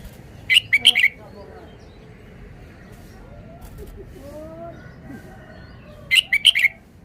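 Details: Red-whiskered bulbul, known in Thai as nok krong hua chuk, singing: a short burst of four or five bright, warbled notes, then a quiet gap with faint low tones, then another similar quick phrase of slurred whistles.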